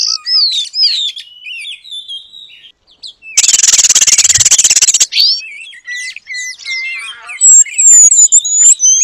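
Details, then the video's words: Energetic oriental magpie-robin song borrowing Asian paradise flycatcher phrases, meant as training material. Varied whistled slurs are broken by a loud harsh buzz, then high thin whistles ring out again. "Kacer Gacor Materi Burung Surga Ekor Panjang"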